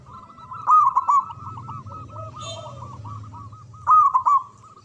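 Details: Local zebra dove with a loud, deep voice in the manggung and ngayer style, used as a lure for mute doves. A fast train of looping coo notes, with loud rolling bursts at the start and end and a soft low coo midway.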